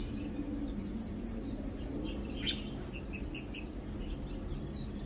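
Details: Lowland white-eye flock feeding, 2 August 2022: scattered thin, high chirps and short downslurred tweets from several birds, with one sharper burst midway, set against a soft low hum.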